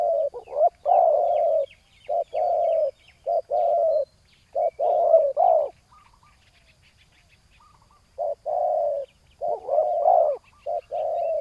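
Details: Decoy spotted dove set on the ground to attract a rival male, cooing in dense bursts of throaty notes. After a pause of about two seconds, calling resumes. Small birds twitter faintly in the background.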